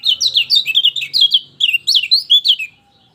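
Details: Lemon-bellied white-eye song, played to stir a silent bird into singing: a rapid, continuous chattering warble of high, twisting notes, about a dozen bursts in under three seconds, then silence.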